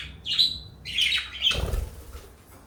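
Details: High, buzzy parakeet chirps come from a pair of pet birds, one blue and one light yellow. Two quick warbled phrases are followed by a dull low thump midway, then the chatter fades.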